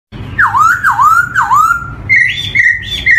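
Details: Black-throated laughingthrush (poksay hitam, poksay hongkong) song used as a lure for young birds just beginning to sing: three loud swooping whistles dipping then rising, followed by level, clear whistled notes alternating in pitch.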